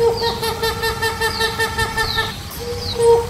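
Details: Hornbill calling: a rapid series of nasal, honking harmonic notes held on a steady pitch, with faint descending high sweeps above, pausing briefly near the end before resuming.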